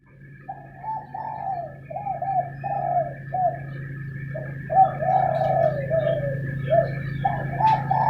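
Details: Spotted doves calling back and forth in the morning as if arguing: soft, rolling coos in short repeated phrases, closely overlapping, over a steady low hum and a faint continuous higher tone.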